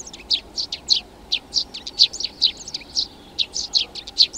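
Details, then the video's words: Eurasian tree sparrow (Passer montanus) giving quick, dry chirps and short chips, several a second in irregular bursts, high and bright over a faint background hiss. "Vrabec polní, Tree Sparrow, Passer montanus, Feldsperlinng"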